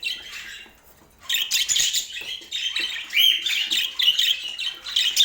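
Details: Pet budgies in Portland: after a quiet second, quick bright chirps and short twittering bursts follow in rapid, irregular succession.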